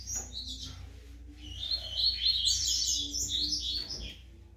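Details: High-pitched rambling song from a brown-plumaged double-collared seedeater, a rapid chattering run of twittered and slurred notes that swells in the middle, with low room hum behind.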